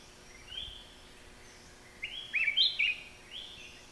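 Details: Thai Black-crested Bulbul: faint whistles at first, then a bright cluster of quick, slurred, bubbling notes in the middle, fading to a softer whistle with steady background hiss.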